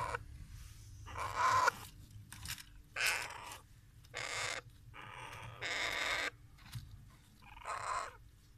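African grey parrot chicks give harsh, raspy, hissing bursts, each under a second, repeated about every second or so, over a low steady hum.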